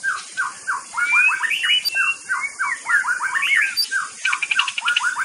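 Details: White-rumped shama in full, lively song: loud clear whistled notes, many short downslurred and rising phrases strung together, with a few quick rattled bursts and high squeaky accents, over a faint steady high hiss.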